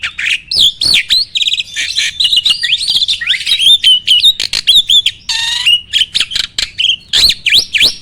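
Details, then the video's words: Starling training song intended to make other birds sing: looping whistled phrases, a quick rattle, sharp clicks and a harsh buzzy burst, followed by repeated upswept whistles. "MASTERAN BURUNG JALAK AMPUH!!!"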